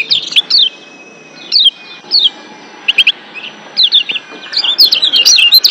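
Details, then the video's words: Wild Lombok white-eyes in a chorus, used to stir breeding excitement and prompt active singing: thin, high, downslurred chirps in scattered bursts, then a denser chattering run near the end. "Ciak Joss Kecial Kuning GEBOKAN LIAR Ampuh Naikin BIRAHI Bikin AKTIF BUNYI"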